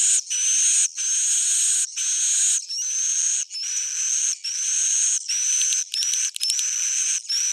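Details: Swiftlet calling in an original old-style recording: loud buzzy high twitters in bursts of roughly a second, separated by short silences, each carrying a faint rising whistled note.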